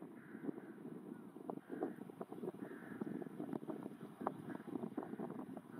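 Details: A rook flock feeding and taking off in large consolidated rice fields at Iwanuma, Miyagi, Japan, on 5 February 2021 gives hoarse, drawn-out caws at irregular intervals, several birds overlapping, over steady wind rumble.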